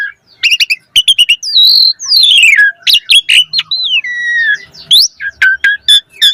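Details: Asian pied starling pouring out a varied song with many isian phrases, used to coax starlings into song: quick clicking notes, long falling slurred whistles and buzzy chatter packed closely together.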